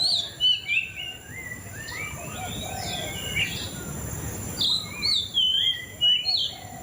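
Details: White-rumped shama, known locally as murai cacing, pouring out varied melodious whistles, quick downslurred and upslurred notes in dense clusters, with louder bursts at the start and toward the end over a soft background hiss.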